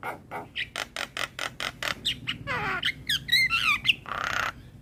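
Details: Adult male Javan myna singing as a tutor for a young bird: a steady run of harsh chack notes, followed by descending raspy phrases, wavering whistles and a final broad harsh squawk.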